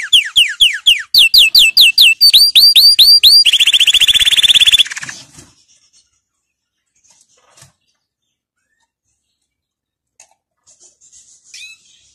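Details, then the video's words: Canary singing for young birds to learn from: a series of rising whistled slurs, then quicker repeated notes and a dense rattling trill, followed by several seconds of near silence with faint clicks. "Chant Canari Super Pour l'écolage des jeunes من أجمل تغاريد طائر الكناري لتسميع الفراخ"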